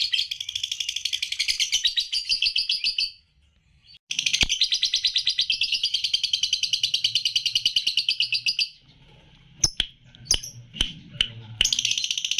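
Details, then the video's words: Lutino lovebird, three months old, singing in the 'jeda rapat' style with tight short gaps: long, dense, rapid chattering trills that run for seconds, one brief pause, then sharp clicks before the chatter resumes. "LOVE BIRD PAUD LUTINO MM USIA 3 BULAN JEDA RAPAT"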